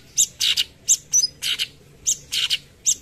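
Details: Actively singing cucak cungkok giving "tembakan" burst song: scratchy, rasping notes alternating with sharp high whistled pips, grouped in two- and three-note bursts.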